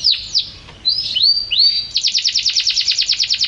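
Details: A champion canary sings several swooping, curved whistles, rising then falling, before switching to an even, rapid series of short high notes repeated steadily.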